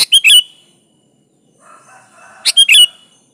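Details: Sooty-headed bulbul singing as a lure for a rival: two short chirpy, bubbling phrases separated by about two seconds, with a soft murmur of other faint tones between them.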